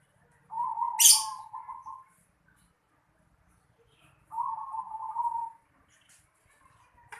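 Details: Zebra dove calling in a house yard: two soft, trilled coo phrases at a low, steady pitch, each about one and a half seconds long, separated by a quiet pause, with a brief sharp click early on.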